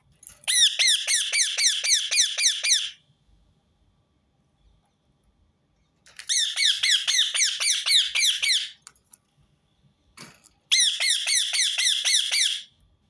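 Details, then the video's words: Rose-ringed parakeet, repeated calling in three bouts of rapid, grating screeches, each bout two to three seconds of about ten shrill notes, separated by short quiet gaps. "أقوى صوت ببغاء درة متكرر"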